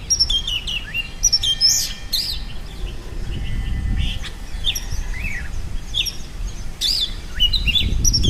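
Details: Bulbuls, one feeding its chick, give quick, chirpy, bubbling notes, some rising and some falling, in bursts, with faint twittering of other birds and low rumbling background noise.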